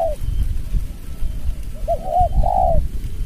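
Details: Spotted dove, a lure bird used for trapping, calling against a rival bird in the close, scraping 'rapat ngeruk' style. A short coo, then a run of rounded, wavering coo notes ending in a longer drawn-out note, over low rumbling background noise.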